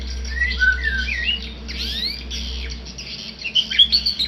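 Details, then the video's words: Tame white-rumped shama singing: clear whistled notes sliding down and up, a short pause, then a burst of bright rising whistles near the end, over steady chattering from other small birds and a low indoor hum. "murai jinak lagi bunyi"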